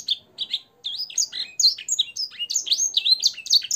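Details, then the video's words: Canary singing a blackthroat and sanger style song for tutoring caged birds: lively, jumbled high warbling of short slurred chirps and bright whistles, busy and uninterrupted after a brief pause early on. "suara burung kenari gacor isian blackthroat dan sanger untuk masteran"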